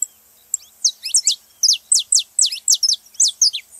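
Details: Saffron finch singing to stimulate a quiet canary to sing: a steady series of loud, high, down-slurred chirps, often doubled, repeated about three times a second after a short silent start.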